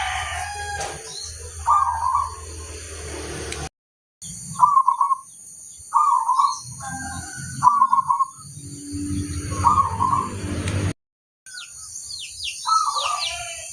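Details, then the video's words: Zebra dove of local crossbred stock giving short, rolling cooed phrases in a loose series, broken by brief gaps, with faint chirps from other birds and background hiss. "suara sang masteran burung perkutut crosing"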